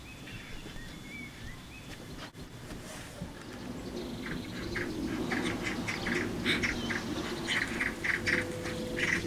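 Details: Magpies fighting around their nest at the bottom of a garden: after a quiet start with a few faint whistles, harsh rattling chatter builds up, made of rapid dry bursts, nearly four a second, growing louder toward the end.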